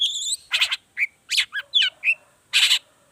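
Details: Long-tailed shrike lure song in the 'toet toet' variation, meant to prompt other shrikes to sing: a high drawn whistle, then a mix of harsh buzzy bursts and short slurred whistled notes.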